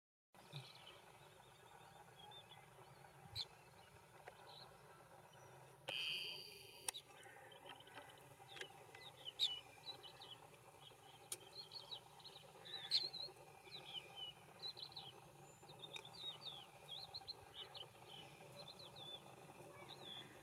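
Green bee-eater giving short, high, trilled chirps in loose repeated bursts over a soft background hiss.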